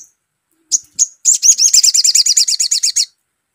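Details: Used as a lure, a sogon gives two short high chirps followed by a quick, even string of about fifteen bright, buzzy notes, each sloping slightly downward.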